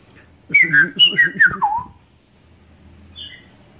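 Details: A red-crested cardinal, a regular visitor in Princeville on Kauai, Hawaii, 2015, sings a fast series of about six whistled notes stepping lower in pitch, then falls quiet apart from one faint distant whistle.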